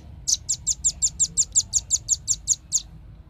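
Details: Lure recording of a velvet-fronted nuthatch: one steady run of about fourteen sharp, very high chipping notes at an even pace of around six per second, with faint low hum behind.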